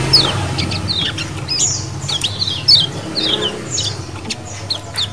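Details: Calls of lemon-bellied white-eyes in a colony used as a lure: sparse high down-slurred chirps at irregular intervals against a noisy, rumbling background.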